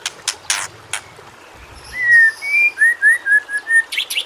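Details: White-rumped shama song from a training recording for shamas slow to sing: a series of clear, pure whistled notes at shifting pitches, preceded by a few sharp clicks.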